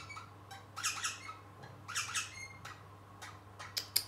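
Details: Young rosella kept as a pet, playing and practising its singing indoors: clustered harsh, buzzy squeaks in bursts, a brief whistle, and sharp high clicks near the end.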